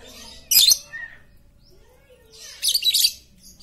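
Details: A very chatty lovebird used to coax quiet lovebirds into singing makes a sharp grating burst, then a longer rasping chatter after a pause, with faint background noise.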